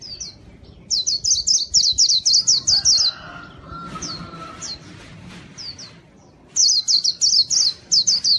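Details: Lure song of a white-eye for attracting wild birds: two bursts of quick, high, falling chirps separated by a quieter stretch with faint lower whistles and sparse notes.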